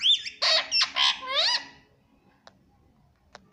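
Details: Green ringneck parrot, a pet rose-ringed parakeet, saying "mummy papa" indoors: four loud, harsh, speech-like squawks with rising and falling pitch in quick succession, then quiet with two faint clicks.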